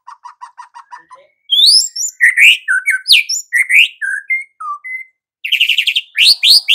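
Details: White-rumped shama in energetic full song, meant to rouse other shamas in the morning: a run of short repeated notes, then loud varied whistles, rising slurs and rich phrases with brief pauses, no other sounds.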